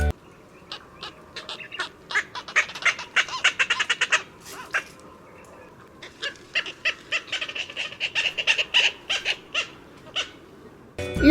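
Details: An Indian cormorant (Indian shag) in Sri Lanka gives a rapid series of harsh, rasping squawks in two bursts of about four seconds each, separated by a brief pause.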